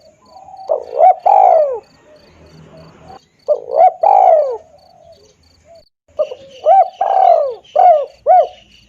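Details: Spotted dove cooing, played to lure birds: soft rounded notes leading into long descending coos, in three phrases separated by quiet gaps. A thin, high, evenly pulsed insect trill runs throughout.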